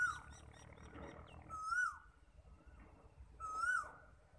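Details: Asian koel (Eudynamys scolopaceus) call, Galsi: loud, whistled rising notes, repeated about every two seconds, over a low rumble of background noise.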